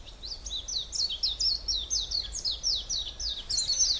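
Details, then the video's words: Woodland birdsong from the Hallerbos near Brussels, Belgium: a continuous, lively stream of high, sharply slurred chirps at an even quick pace, closing with a denser trill. "Beautiful Birds sounds"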